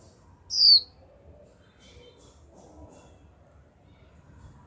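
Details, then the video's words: Young female Japanese white-eye giving a 'chíu' note to stimulate males to sing: one clear, high, falling whistle, then quiet, with the start of another note at the very end. "Khuyên mái tơ chíu liên tục kích bổi líu ngay!"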